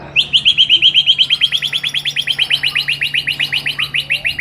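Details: Competition song material for white-rumped shama: a long series of bright, clipped chirps repeated about three times a second, each note with a sharp upper overtone, over a steady low hum.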